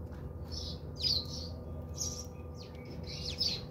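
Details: Sharp, high chirps from bathing house sparrows in South Africa come in quick groups of two or three, set against a faint constant hum and low background rumble.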